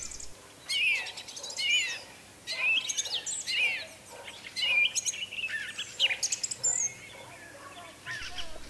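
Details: A song thrush in a village begins its creaky song at sunset: a string of high, creaky and squeaky phrases, a new one roughly every second with short gaps between them, over quiet rural background.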